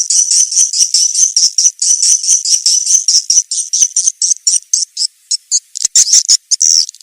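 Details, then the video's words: Swiftlet call used as a lure to draw the birds in: thin high buzzy chirps run together into a fast trill, then break into separate clicks with gaps toward the end. "SUARA PANGGIL BURUNG WALET ANDALAN"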